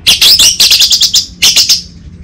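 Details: Orange-headed thrush (anis merah) master song, North Bali, meant to coax a raw bird into full singing. Dense, high, scratchy notes tumble in a fast chattering run, a brief pause, then a shorter burst.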